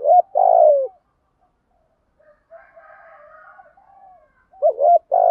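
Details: Captive spotted dove used as a lure to draw wild doves, cooing: a loud low falling coo ends, a faint distant wavering call follows, then a new phrase of short notes begins.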